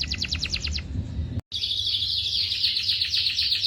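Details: Canary song from a tutor compilation for young birds: a fast pulsed trill, then a sharp break, then a dense, continuous high buzzing roll over faint background noise.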